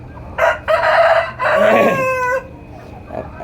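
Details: Rooster of the Tiger chicken breed crowing in the morning at a poultry farm: a loud crow in three parts with rich harmonic notes, the last note drawn out and falling, over low background hum.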